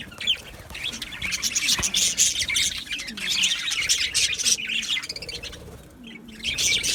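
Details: Colony of Australian budgies in an aviary on 12 July 2025: overlapping shrill chirps and chattering warbles pour out steadily, easing briefly near the end before picking up again.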